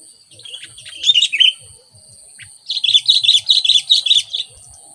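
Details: Bird used as a lure for wild sooty-headed bulbuls: a short chattering burst, a pause, then a lively run of about ten quick, bright, bubbling notes, with faint low knocks and a thin continuous high tone.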